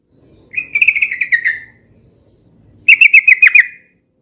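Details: Sooty-headed bulbul giving two quick ropel-style runs of repeated, slightly descending whistled notes, each about one second long, with soft low background noise between them.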